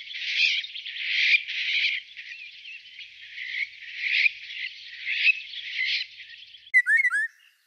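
Eurasian golden oriole giving a run of harsh, rasping notes about once a second, then a short burst of clear fluty whistles.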